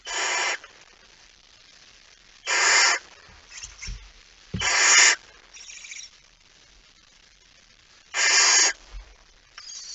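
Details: Barn owl male bringing a mouse near midnight, 17 September 2019, Friesland, Netherlands: rasping hissed screeches, four strong bursts spaced roughly two to three seconds apart, with softer scratchy noises between.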